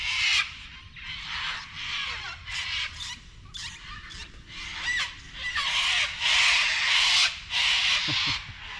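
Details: A flock of cockatoos going crazy outside a rural property screech loudly, with harsh, raspy bursts overlapping almost continuously, roughly one or two a second, grating.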